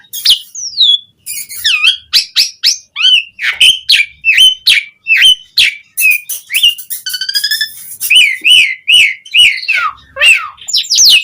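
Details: Asian pied starling in full, energetic song, used as a lure to get other starlings singing: a rapid string of loud whistled notes, slurred rising and falling, broken by harsh buzzy bursts and a brief chattering trill.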